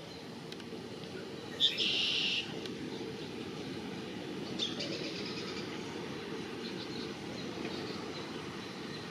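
A Red-winged Blackbird gives one song: a sharp opening note, then a harsh, buzzy trill under a second long, over a steady low rumble of wind or distant traffic.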